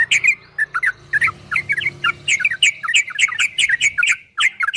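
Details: Yellow-vented bulbul in a rapid ropel song: a steady stream of gurgling, rising and falling notes with crisp clicks, a soft hum underneath.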